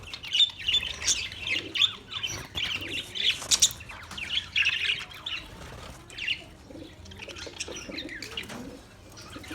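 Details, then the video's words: Australian parrots give rapid, harsh, high squawking chirps, dense and loud for the first few seconds, then thinning into sparser, quieter calls. "Beautiful Australian parrot video Bird Chirping sounds"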